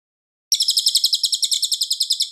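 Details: Cililin in full, clear, loud song, edited as training material for White-rumped Shama: a rapid, even trill of bright, high chirping notes, about eight per second, starting after half a second of silence and running to the end, no other sounds.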